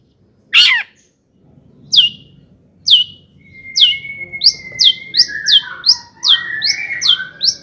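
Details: Long-tailed shrike singing to provoke other shrikes; a harsh squawk, then sharp descending chip notes speeding up into a rapid series over a thin whistled tone.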